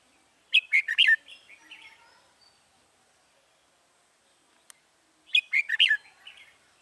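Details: Red-whiskered bulbul used in trapping wild birds, 21 January 2018: two short, rich whistled phrases about five seconds apart, each opening with loud bright notes and trailing into softer warbling, with a quiet background.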